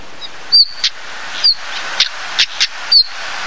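Stonechat giving thin, high whistles alternating with hard, clicking 'tack' notes like two stones struck together, several in under four seconds, over a steady hiss.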